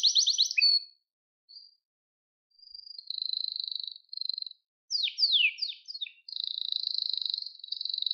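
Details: Canary song to help train young canaries: a short high trill, scattered thin whistles with gaps of silence, a sustained buzzy roll, a few steep down-slurred notes, then another steady buzzing trill.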